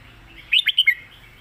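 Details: Red-whiskered bulbul, a caged competition songbird, gives a short phrase of three or four quick, clear whistled notes sliding between middle and high pitch, loud against a quiet background.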